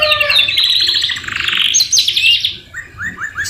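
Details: Canary song in Indonesian masteran style, filled with murai batu phrases: dense chattering trills at mid-high pitch, then rapid bright notes, ending with a series of short rising chirps repeated about twice a second.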